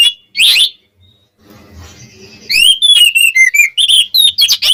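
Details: Singing Oriental magpie-robin, used to provoke rivals: one loud burst, a quiet stretch with faint low rumbling, then a fast run of short, clear whistles and chirps repeated more than twice a second.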